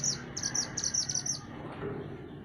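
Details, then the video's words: {'_': 'Mantenan gunung songbird in a master recording for training songbirds: a quick series of high, sharp twittered notes over dense broadband background noise.'} "Mantenan Gunung Gacor Burung Masteran Untuk Burung Kicau"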